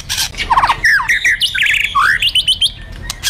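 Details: Fighter white-rumped shama delivering provocative kretekan and tembakan song: fast rattling trill, then a dense stream of loud warbled and slurred whistles with rapid pitch jumps, nearly continuous.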